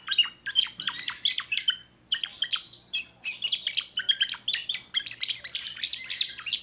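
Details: Young timbrado canary from 2024 with a new song repertoire: rapid clipped chirps in long phrases, a short drawn-out note and pause after two seconds, then more fast, bright trilling.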